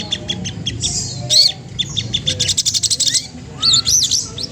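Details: Spotted magpie-robin (sogon trotol) song aimed at provoking an opponent: short chirps, a loud squeaky note, a quick run of clipped repeated notes, then wavering whistled phrases.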